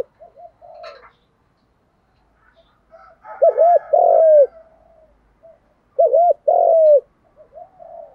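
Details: Spotted dove cooing in the thúc gù style, meant to stir trained birds; two loud phrases about three seconds apart, each a clipped double note then a long, falling coo, with softer coos and faint rustles around them.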